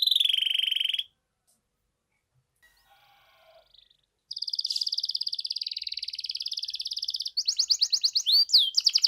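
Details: Canary gacor song used to make quiet canaries respond: a buzzy roll, about three seconds of near silence, then a long rapid buzzing trill ending in bright pulsed notes.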